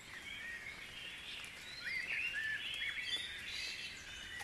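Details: Birds singing in the dawn chorus at Guisborough: short arched whistles and chirps tumble over one another, rising to a busier, louder patch midway, with thin high trills in the background.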